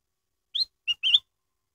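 A Black-headed bulbul gives three quick, bright, liquid whistled notes, the last one slurred and longer, against a quiet background.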